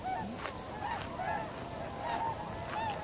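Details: Tundra swan flock in winter, 7 February 2015, camera with external microphone: a steady stream of soft, mellow honks from many birds, each note short, gently rising and falling, over a faint background hiss.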